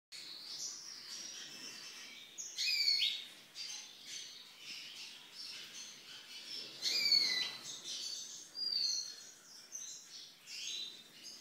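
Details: Young lesser goldfinch of the black-backed form (psaltria), from 2013, sings a high, rambling twitter of sweet whistles, buzzy notes and sliding slurs, with louder bursts every few seconds over quiet background hiss.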